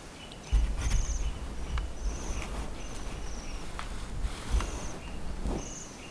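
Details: Bohemian waxwing calling softly as 'chiri chiri' in lingering snow at Senjogahara, Okunikko, Japan. High, thin trilled notes repeat about once a second over rumbling low noise and footsteps on a boardwalk.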